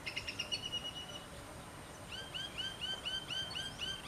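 Yellow wagtail giving thin, high, slurred chirps, first in a brief run, then a quick series of arched notes about four per second, over faint outdoor hiss.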